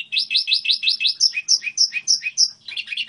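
A goldfinch hybrid sings a fast, bright series of high twittering notes, first quick rising chirps, then slower sweeping downslurred phrases, ending in a jumbled trill.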